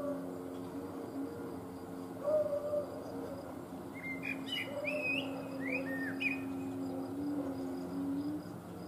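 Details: Eurasian blackbird singing live, recorded on a Panasonic HC-V180 camcorder: a burst of fluty, warbled phrases with squeaky, rising flourishes in mid-clip, set over a steady, low droning hum that runs throughout.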